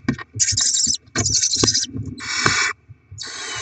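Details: Barn owl nest during rodent deliveries and chick feeding, 7 February 2024: rough hissing screeches with some higher, thin overtones, then cleaner rasps, over soft rustling.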